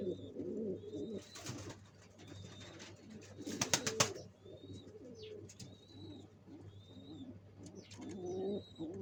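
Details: {'text': 'Low gurgling coos come from pigeons building a nest before laying. Bursts of flapping or clattering noise break in, and small birds add thin rising high chirps throughout.'}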